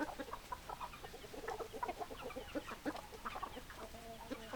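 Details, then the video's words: Hens in a busy flock giving rapid, overlapping short clucks and some tonal, slightly drawn-out notes, many birds calling at once without pause. "Chicken Sounds Noises Hens Clucking Roosters Crowing"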